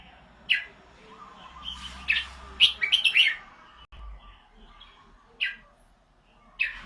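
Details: Red-whiskered bulbul in Thailand with a prized golden voice delivers scattered sharp chirps and a short cluster of quick bright notes, spaced irregularly over a low background murmur.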